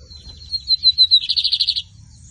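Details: Lined seedeater (bigodinho) song at a song competition in the 2023 season: a thin high whistled series of short notes, then a fast buzzy trill of about ten rapid pulses, over a low background rumble.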